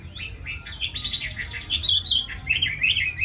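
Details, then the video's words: Tamed caged Chinese hwamei in Hanoi, Vietnam, praised for a fine voice and singing readily: a continuous run of varied whistled notes and quick slurred phrases, swelling louder toward the end, over faint low room hum. "Mi thuần cb98123 giọng rất hay mau mỏ"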